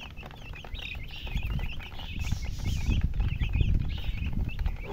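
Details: Chicken chicks peeping in a group, with quick high cheeps that rise and fall, partly buried under a loud low rumbling and handling noise that swells toward the middle.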